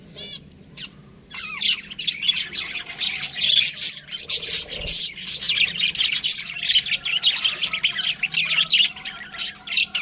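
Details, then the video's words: After a quiet start with a few scattered notes, a group of budgies breaks into dense, continuous high chattering and squeaky chirps. "Cute Budgies Chirping Sounds"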